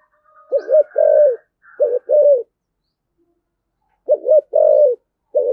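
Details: Spotted dove cooing in the prized 'thổ sấm' voice style. Close, mellow low phrases repeat in quick succession; each has a short double note and then a longer coo. Faint higher notes sound at the start.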